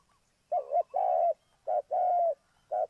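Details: A spotted dove kept as a lure for trapping coos softly. A doubled opening note leads into a long, level coo, then a short note and another long coo, with one more note starting at the end.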